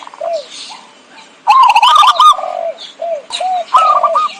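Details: Zebra dove lure call: faint low coos at first, then a loud run of rapid clipped cooing notes with clicking rattles, followed by short descending coos and another brief burst.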